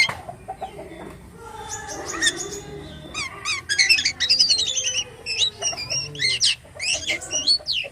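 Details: Actively singing (gacor) jalak kapas starling in isian style. Soft low notes lead into a dense run of sharp, fast-modulated chirps and trilled whistles, growing louder and choppier toward the end.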